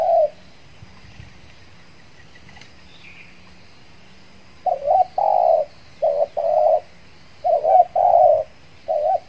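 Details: Spotted dove decoy from Riau Islands, Indonesia, brought out after moulting to lure wild birds; one coo, a long silence, then a burst of soft rounded coos and rolling double notes in quick succession, faint bird chirps behind.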